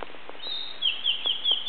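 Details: Blue-and-white flycatcher heard but not seen in mountain forest on Awaji Island, Japan, taken with a compact camera: a high sustained whistle followed by a quick run of four or five sharp down-slurred notes, over soft hiss.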